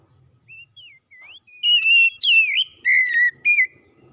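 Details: Oriental magpie-robin song for stimulating a bird that has gone quiet: soft wavering notes build into loud clear whistles, a bending slur, and a run of steady whistled notes ending on a short rising one.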